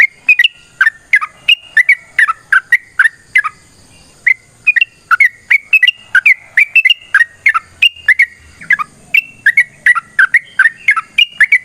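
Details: Long, provoking fighting song of a yellow-vented bulbul: sustained series of clear, bubbly warbled notes at a lively, fairly even pace, with one short pause near the middle and little background noise.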